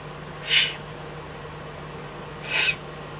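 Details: Eifel eagle-owl calling at night, 24 May 2014, while a fox is delivered as dinner: two brief rasping, breathy screeches two seconds apart against a constant low droning background.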